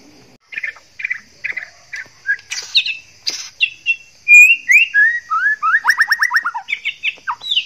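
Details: Courting male white-rumped shama in breeding condition: short repeated chirps build into bright rising whistles, quick trilled bursts and fast stuttering note series, over a steady high background hiss.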